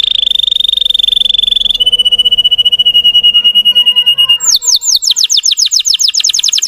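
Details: Russian canary song, used to provoke emotion in young trainee birds: long rapid trills, a steady high rolling tour, then fast repeated descending whistled notes, bright and piercing throughout.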